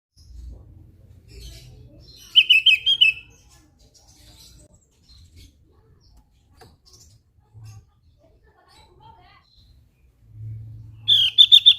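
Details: Javan grey-throated white-eye in active song: two short bursts of rapid, buzzy chattering notes near the same high pitch, separated by long near-silent pauses with faint low rumble.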